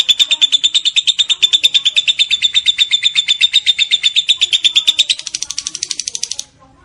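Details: Long ngekek chatter of a lovebird kept as master song for training: fast, evenly pulsed high-pitched chattering notes in a continuous stream, shifting to a thinner, higher burst near the end before stopping abruptly.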